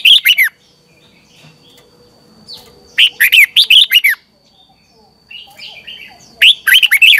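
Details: Red-whiskered bulbul singing in the morning as training song to stimulate other birds: three bursts of rapid, bubbling, whistled notes swooping up and down, with quiet gaps and a faint steady high tone behind.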